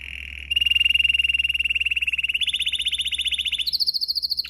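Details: Canary singing in a training recording: a long run of fast, even trilled rolls, starting low and steady, then stepping up twice in pitch to higher, brighter rapid trills near the end, with a faint low hum underneath.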